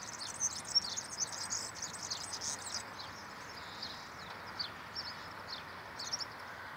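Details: A pure wild European serin sings a very high, jingling, rapid stream of sibilant twitters, loudest in the first three seconds, over steady outdoor hiss.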